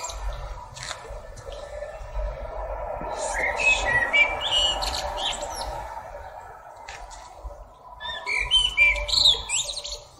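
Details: A common blackbird delivers mellow whistled notes followed by high scratchy twitters, with phrases near the middle and again at the end amid steady low background noise.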